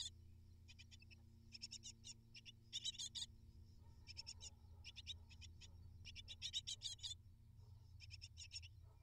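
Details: Great tit young begging in the nest while parents deliver prey: uneven bursts of thin, rasping high-pitched cheeps, some loud and clustered, others sparse, over a steady low hum.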